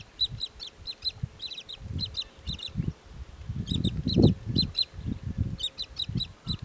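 Pied kingfisher giving sharp, high twittering chirps in quick bursts of two to four notes, over low rumbling wind and water noise.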